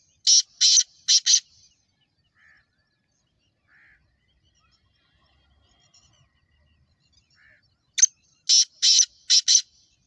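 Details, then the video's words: Black francolin, the Sindhi kala teetar of Pakistan, calling in two bursts of grating, clipped notes, a short group at the start and a longer series near the end, with near silence between. "Kala Teetar ki Awaaz"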